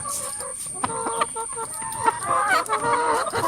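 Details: Many hens in a coop calling over each other: irregular clucks and short harmonic notes, growing denser and louder in the second half, over a constant background hiss.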